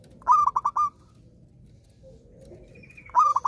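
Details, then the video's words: Zebra dove singing eagerly, offered as a prompt for silent doves to resume singing: a fast phrase of four or five ringing coos, a quiet pause of about two seconds, then the phrase starts again. "perkutut gacor rajin manggung"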